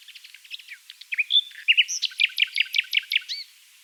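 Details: Common Nightingale singing close-up in a dune valley near Oostkapelle, the Netherlands: a rich phrase opening with soft rapid notes, then a clear whistle and a loud run of repeated sharp chirps, about eight in quick succession, ending in two slurred notes.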